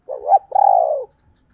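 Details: Female spotted dove call in the 'thổ đồng' voice style, used to lure wild males: a short two-part coo, a wavering low note and then a longer, smooth, slightly falling hoot, in clean quiet surroundings.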